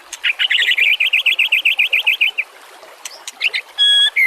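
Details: White-rumped shama master song for training other songbirds: a rapid even trill of about twenty short rising-falling notes, then scattered high chips and long clear whistles.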